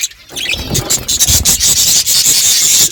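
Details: Budgerigars chirping while eating: a dense, warbling high chatter runs almost continuously, mixed with soft clicks and rustles.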